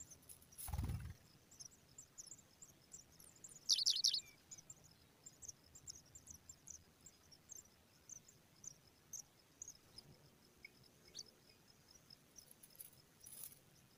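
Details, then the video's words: Pipit chicks being regularly fed by an adult keep up faint, very high ticking chirps throughout, broken by a loud shrill burst of begging squeaks, with a low thump near the start and another high burst at the end. "Pipit bird is regularly feeding babies for immediate growth"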